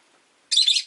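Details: Rosy-faced lovebird competing for perch position in a cage by the window; a single loud, rasping chirp of under half a second after brief quiet.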